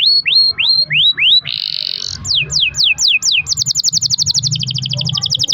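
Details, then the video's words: Canary song with long rolls, meant to stimulate other canaries to sing: rising whistled notes repeated about three per second, a buzzy rolled passage, falling slurs, then an accelerating high rattling trill. "kenari gacor ROL PANJANG buat pancingan kenari agar bunyi"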